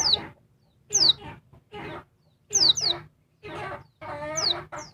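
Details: Female oriental white-eye of the Dakun Bali type, noisy and calling to stir up a male. Sharp, high descending chirps come in pairs at irregular intervals, mixed with rough, broadband clucking bursts between them.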